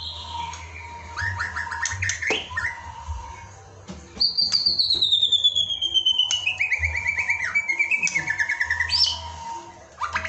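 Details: Murai (white-rumped shama) masteran recording used to train birds to sing: scattered short notes, then a long loud whistled phrase sliding slowly downward with fine rapid warbling, ending in a sharp upward note; a faint steady hum persists.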